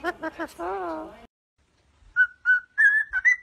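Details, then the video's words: Pet parrot from a compilation of talking, singing and dancing parrots: a human-like voiced phrase opens, then after a pause come five short, clear whistled notes, repeated at a rapid pace and rising slightly toward the end. "PERROQUET QUI PARLE | CHANTE"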